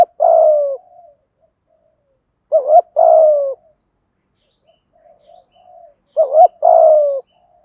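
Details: Spotted dove coo in the thúc gù, giọng thổ style, with male and female birds included, used to excite wild doves: a short rising double note, then a long falling coo, phrased about every 3 seconds with soft murmurs between.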